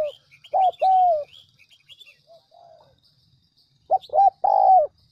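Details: Decoy spotted dove coo meant to attract doves: a short coo and a long drawn-out note, a pause with soft lower notes and high twittering from small birds, then a rapid double coo ending in another long, sliding coo.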